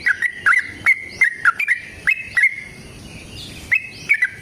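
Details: Yellow-vented bulbul in a long fighting song that prompts other bulbuls to reply: loud, liquid whistled notes in short rolling phrases, roughly a few per second, then a pause before two final notes.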